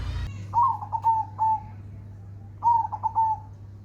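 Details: Zebra dove (perkutut) song in two short bursts: a few quick, clipped cooing notes followed by a longer mellow coo, then a pause and a repeat of the stuttering phrase, above a steady low hum.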